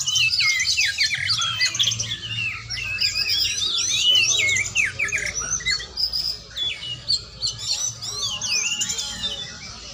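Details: Oriental magpie-robin (kacer) singing in a training session: a long, energetic medley of chirps, whistles and slurred notes, about three per second, with a low background hum.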